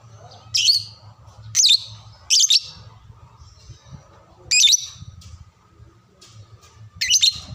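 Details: Shrill lovebird calls played to teach young birds their voice: loud harsh screechy notes, some doubled, sounding roughly once a second with gaps, against a quiet low rumbling background.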